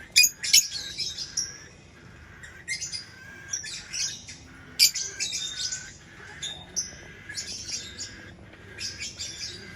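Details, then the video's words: Lovebird chirping and squawking: rapid, harsh, high chirps tumbling in dense bursts, some loud sharp shrieks, with brief pauses between flurries. "Lovebird Chirping Sounds"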